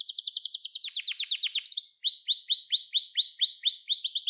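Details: Canary song played for training young canaries: a rapid, even trill of short high notes, then a brief rising whistle and a slower series of sweeping notes repeated about four times a second.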